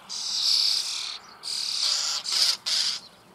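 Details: Common starling chicks in a nest hole near Büchel in the Eifel, begging as they are fed: four loud, harsh, hissing, wheezy bursts, the first and second long, the last two shorter and quickly repeated.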